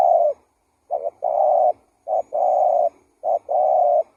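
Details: Spotted dove lure call, lively: three repeated pairs of a short doubled coo followed by a longer steady hollow coo, about one pair per second, in a quiet setting.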